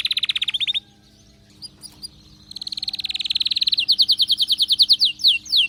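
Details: Excited canary song: a rapid, tight trill stops abruptly, a few soft isolated chips follow, then a new trill builds steadily in volume and slows into loud, repeated down-slurred whistles.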